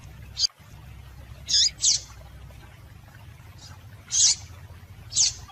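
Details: Female double-collared seedeater calling to stimulate males to sing: short, high, buzzy chips, single or in quick pairs, at irregular gaps of one to two seconds, over faint low background hum.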